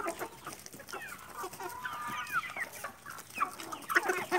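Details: Chickens feeding in a yard: soft clucks and short squawky notes scattered through, with rustling and scratching sounds.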